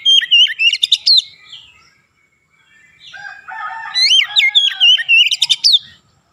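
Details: Kacer, or Oriental magpie-robin, singing in the ngerol and nembak manner. Two bursts of loud, slurred whistles and rapid trills are broken by a short silence, with softer warbling before the second burst.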